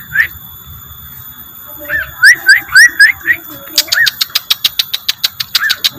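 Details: Rengganis lure sound with short rising chirps, a few brief quick notes, then a rapid, evenly paced series of sharp ticks.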